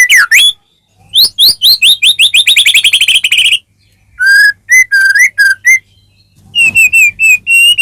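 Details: White-rumped shama, caged, in song meant to provoke another bird to sing: a fast rising series of whistles, then low flat whistled notes and a few high wavering phrases.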